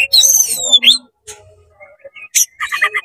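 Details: Oriental magpie-robin singing excitedly with its tail open to provoke rivals; a loud descending sweeping whistle and harsh chatter, then a pause and a rapid series of repeated sharp notes.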